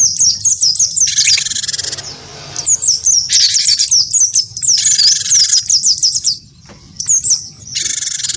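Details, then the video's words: Cinereous tit, wingko type, goaded into fighting song by a white-eye: bright, high, flicking whistles in fast series, alternating with several coarse, buzzing, hissy blasts. "gelatik batu wingko gacor pancing bunyi tarung sama burung pleci"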